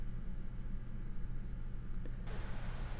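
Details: Quiet low hum and rumble with a couple of brief clicks, and no animal sound present.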